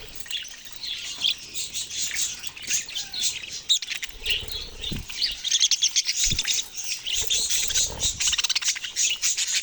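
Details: Budgerigars keep up a dense, high-pitched chatter of chirps and warbles, with occasional low thuds and soft flutters underneath.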